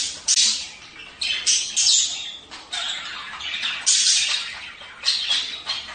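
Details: Budgerigar sound meant to encourage pairing: overlapping harsh, buzzy high chirps and squawks in repeated bursts, each about a second long, with short softer gaps.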